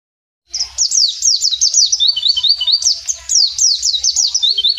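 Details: After a brief silence, a wild mountain white-eye bursts into energetic 'gacor ngalas' song: rapid, high, sweet chirps sliding down and up in tight repeated runs.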